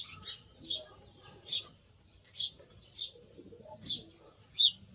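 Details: Fainter song thrush song: single high, clear notes at fairly even intervals of about half a second to a second, over a low background murmur.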